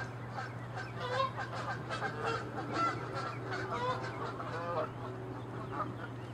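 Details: Canada geese fighting and honking loudly while chasing and attacking each other, angry and territorial; dense overlapping nasal honks for about five seconds, then quieter, with a steady low hum underneath.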